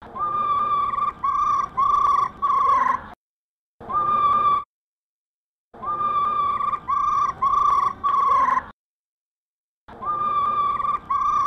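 A female black laughingthrush gives quick, harsh, rolling notes in steady runs of about four per second, broken by sudden silent gaps.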